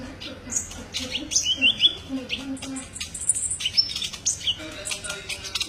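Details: High-pitched twittering song of an olive-backed sunbird used for masteran: quick chips, thin trills and slurred notes in an uneven run, with a steady faint low drone underneath.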